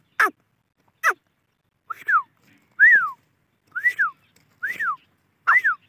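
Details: Grey francolin (teetar) call series: two sharp downward whistles, then a run of arched notes that rise and fall, given roughly every three-quarters of a second.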